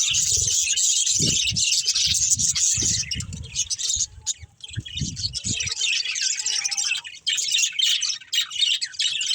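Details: Playing, feeding budgies give a rapid, busy stream of high chirps and scratchy warbles, accompanied in the first half by repeated dull low thumps and tapping.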